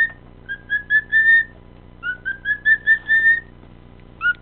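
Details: A male pet cockatiel, whistling randomly and singing his heart out, whistles a run of clear, pure notes that rise in pitch, then repeats the phrase.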